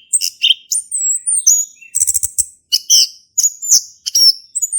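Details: Male orange-headed thrush in full song, used as a lure to prompt a silent thrush to sing: a rapid, varied run of high whistles, sharp chirps and buzzy clicking notes, almost continuous across the phrase.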